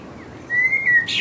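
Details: Mating song of a resident blackbird singing in full voice: one clear, sustained whistled note held steady for half a second, then a brief, high, scratchy twitter to close.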